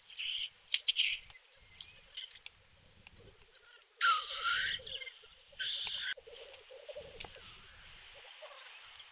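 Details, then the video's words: Black grouse fighting at a lek in snow in Kuusamo, Finland, in May 2021: a steady low, dove-like bubbling murmur runs throughout, broken by several harsh, explosive hissing sneezes of about half a second each. "Black grouse fights. Teeret soitimella"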